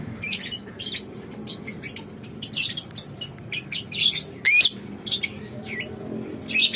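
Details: Young second-generation lovebirds, hatched as a pair and now adolescent, ready to be paired; other lovebirds bathe in the morning and weave nests. Dense, rapid high chirps and squeaky notes in irregular bursts, one loud rising-falling squeal mid-way, faint low room hum.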